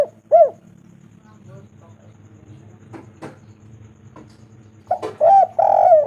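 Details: Spotted dove, a calling bird used as a lure to make other doves call: a clear single coo near the start, then after quiet a rising note and two long drawn-out coos at the end.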